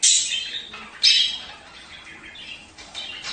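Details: Budgerigar mating call for encouraging egg-laying pairs: two strong raspy squawks a second apart, followed by softer, fading warbled chatter.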